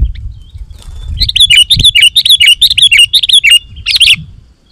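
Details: Sooty-headed bulbul singing energetically, used to lure wild bulbuls into answering: a quick run of about ten bright, bubbly rise-and-fall notes, evenly spaced, ending in a harsher double burst, over a faint low rumble.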